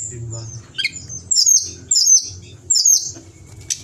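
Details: Pied bushchat in full song, recorded for tutoring other songbirds in Indonesia. Three short, sharp high bursts come about half a second apart after a brief descending note, over a steady low background hum.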